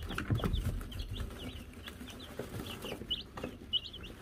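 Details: Young Wyandotte chicks of Silver Laced, Gold Laced and Gold Laced Blue varieties, May 2022, with a newly given bell: scattered high, brief peeps over low rumbling and shuffling noise.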